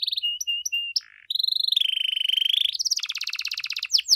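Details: Energetic canary singing in the lavish 'cengkok mewah' style, meant to prompt other canaries to reply; short high chirps lead into long, fast, even trills that shift pitch, then a rapid rattling run and sharp upward sweeps.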